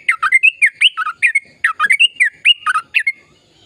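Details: Lively sooty-headed bulbul song, played to prompt quiet trucukan to start calling: quick, liquid chirps and rising-falling whistles in tight bursts, then a short pause near the end.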